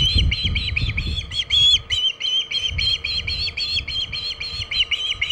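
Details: Osprey on the Hog Island nest holding a large shad, afternoon of 27 August 2019: rapid repeated piping whistles, each slightly arched in pitch, with bursts of low rustling and wind beneath.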